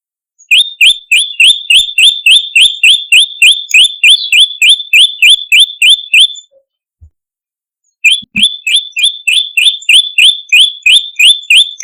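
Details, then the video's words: Olive-backed tailorbird lure recording, a variation used to attract birds: rapid, sharp chirped notes near one pitch, about three per second in an even run, a short break, then the same quick series resuming. "Prenjak Gacor - Variasi Pancingan Prenjak Lumut Masteran Suara Pikat Prenjak Kepala Merah"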